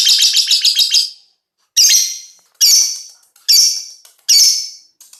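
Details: Five-month-old lovebird of the fighter type singing: a fast run of sharp chirps, then a pause and four loud, harsh, buzzy bursts about a second apart, each fading away, all high-pitched and shrill.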